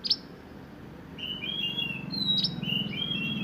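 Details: Sunbird (burung mantenan) giving high song phrases in roll nembak style: a sharp opening chip, then short wavering whistled phrases and one long level whistle, with a low hum beneath.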